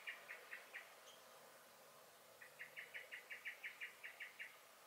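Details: Blackbird in a garden in May giving four spaced chinks, then a long accelerating run of about a dozen hard, rattling alarm notes.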